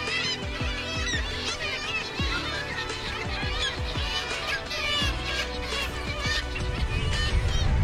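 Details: Black-legged Kittiwakes (Rissa tridactyla) at a breeding colony on sea cliffs at Cap Blanc-Nez, France, adults and juveniles, calling together in a dense chorus of nasal, wailing cries, with soft music underneath.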